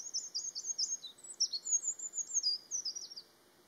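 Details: A Eurasian wren delivers a long, rapid burst of high, sharp twittering notes and trills, with about a dozen rhythmic pulses over three seconds and a brief buzzy dip midway, ending abruptly in silence.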